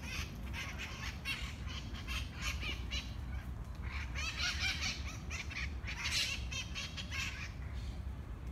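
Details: Harsh, rapid squawking runs almost without pause as monk parakeets fight over food in a Barcelona park, Parc de la Ciutadella, Spain; mitred parakeets squawk from the trees overhead, with steady low background hum.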